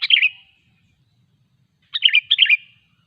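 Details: Sooty-headed bulbul in full voice, a lure for other bulbuls to start singing: one short bubbly phrase, then after over a second of quiet a longer triple series of rolling, liquid notes.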